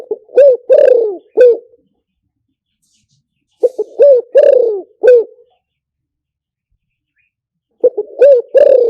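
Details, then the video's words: Spotted dove lure call for speaker playback: three loud phrases, each a quick pickup coo, a clipped coo, a long slurred falling coo and a final short coo, about every four seconds, silent in between. "เสียงต่อนกเขาใหญ่หมานๆ, เสียงนกเขาใหญ่ใช้ต่อลำโพงหมานๆเสียงชัดHD"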